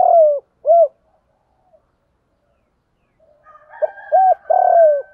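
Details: Spotted dove, male and female, cooing to provoke trainee birds: the tail of one phrase with a long falling coo and short note, a pause, then a new phrase of short rounded coos and a long sliding coo.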